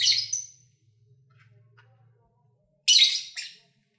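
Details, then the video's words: Lovebirds at play give a harsh buzzy squawk with a whistled tail, then after a quiet pause a loud grating double squawk, over a faint low hum. "1 Hour Lovebird Sounds"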